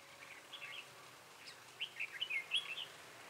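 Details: A Red-whiskered Bulbul sings short, bright, warbled whistled phrases, bubbling and uneven, over soft background hiss; song used as a lure while trapping wild bulbuls, 12 February 2017.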